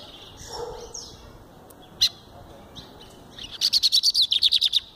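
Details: Lined seedeater (bigodeiro) singing in the Verdin style while held in the hand: scattered high chirps and whistles, then a rapid run of about a dozen sharp, evenly spaced high notes.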